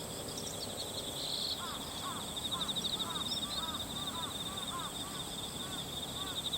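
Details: Bull-headed shrike calling on 22 September 2015, not its high-pitched autumn call, then flying off and returning to the same spot; filmed on a compact camera with an external microphone. About ten short arched notes in quick succession over a steady insect hum.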